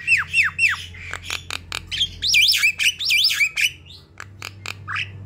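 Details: Group of Javan mynas singing vigorously as a lure for other mynas: a few dropping whistled slurs, clicking harsh notes, then looping high wavy whistles and a final rasp, with a low steady hum beneath.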